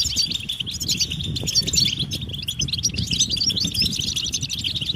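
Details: European goldfinches giving mating and readiness calls, meant to stir silent males into song: dense, overlapping high twittering and tinkling notes, several birds at once, with a low rumbling and flutter underneath.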